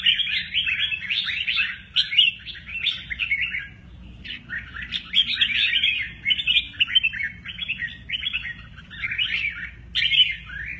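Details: Mơ ché nẹt song from a red-whiskered bulbul, accompanied by energetic wing play; dense runs of bubbly, twisting chirps pour out continuously, pausing briefly midway before resuming with fresh warbled phrases.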